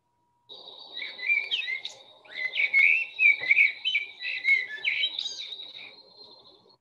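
A Common Blackbird sings a varied run of warbled, fluty phrases mixed with higher twittering notes, each phrase different, over a faint low background hum.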